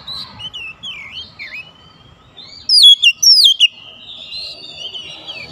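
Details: Oriental magpie-robin calling out to others of its kind, which reply energetically; soft downslurred whistles open, then a loud cluster of sharp swooping notes near the middle, fading to thin whistling.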